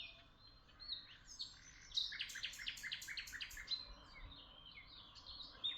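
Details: Several birds chirping in Tuzla, with a dense, rapid run of repeated sharp notes in the middle, framed by softer scattered twitters and faint background noise.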